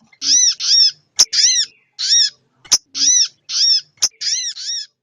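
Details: A female sogon ontong calls for the male on a lure track. Strong, evenly spaced nasal notes, each rising then falling, are delivered singly or in pairs with crisp clicks between them.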